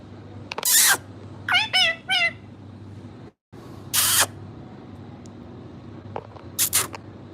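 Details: Pet parrot making three quick curved, voice-like notes between loud harsh noise bursts, with later bursts and faint chirps over a steady low hum.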